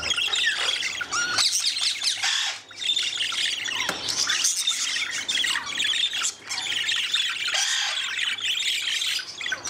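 Budgerigars keep up a constant high, scratchy warbling chatter broken by sharp squawks.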